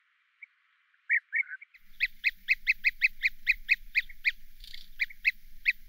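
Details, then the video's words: European bee-eater giving its distinctive rolling, liquid 'prruip' calls, a few loose notes, then a steady run of about a dozen, roughly three each second, over faint low hum. "European Bee-eater's Vibrant Colours & Call"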